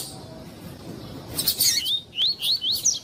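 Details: Double-collared seedeater in captivity, female calling to stir the male into singing: after faint background noise, a few buzzy high notes lead into a string of quick rising whistled slurs repeated about three times per second.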